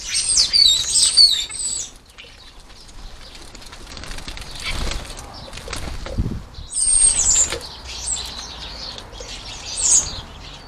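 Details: European starlings at a garden feeder, going relentlessly after food; high squeaky whistles and chatter in two bursts near the start and middle, with a single sharp note near the end, amid wing flutters and a faint low background hum.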